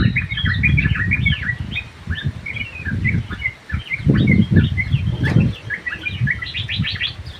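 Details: Chattering song of a sooty-headed bulbul (trucuk) held in an aviary: quick chirps and short slurred whistles keep going over a loud low rumble and knocks, with one sharp click midway.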